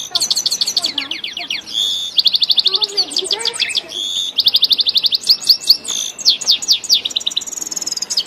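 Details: Song of a grey-headed goldfinch from Tajikistan: loud, fast, high twittering with long dry buzzing trills, rapid repeated chips and downslurred whistles in quick succession, flowing on almost without pause.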